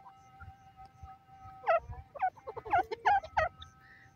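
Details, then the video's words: A francolin, also described as a partridge or teetar, gives a burst of loud, harsh, rising notes, about six in under two seconds, over a faint steady hum. "pheasant bird sound, partridge voice, teetar awaz"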